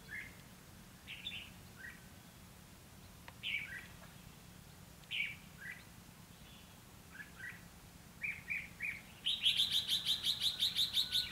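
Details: Red-whiskered bulbul singing in a fighting contest at a bird trap on 29 February 2016: short scattered whistled phrases with gaps, then a fast run of rapidly repeated chattering notes near the end.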